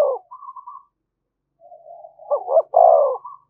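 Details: A decoy spotted dove, cooing continuously to incite fights, starts with a short low coo. After a pause comes a quiet murmur, then a firm double coo ending in a long, sinking note.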